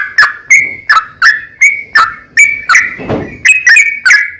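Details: Sooty-headed bulbul singing rapid 'ropel panjang' phrases, used as a lure. Clear fluty notes repeat almost three per second, with a short burst of low rustling noise midway.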